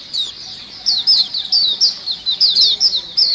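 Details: Lure recording of a crowd of white-eyes calling eagerly: a dense run of sharp, high, descending tweets, some doubled, coming in quick bursts with brief gaps.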